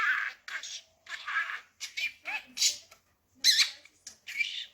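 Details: Pet budgerigar talking indoors, repeating newly learned words mixed with laughter: quick raspy, scratchy syllable bursts in short phrases separated by brief pauses, with a faint steady hum beneath.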